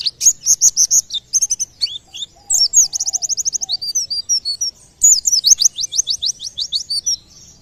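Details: White-eye (pleci) singing, a sound said to get surrounding birds calling too: energetic, continuous high twitter with fast trilled runs and sweeping whistled notes, plus a faint lower note in the background.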